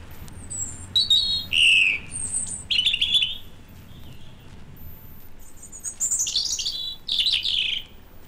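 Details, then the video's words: A European robin sings wistful notes from the canopy of a British broad-leaved woodland in winter (January): short varied phrases of thin high whistles and trills, some sliding down, pausing between bursts, over faint low rumble. "Many robins leave the woodlands in autumn and winter, but some can be found singing their wistful notes in the canopy of the trees."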